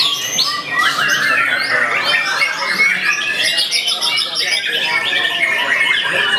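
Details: Young white-rumped shama, a kept bird, sings a vigorous, dense song of quick rising and falling whistles mixed with harsh chattering notes, sustained throughout.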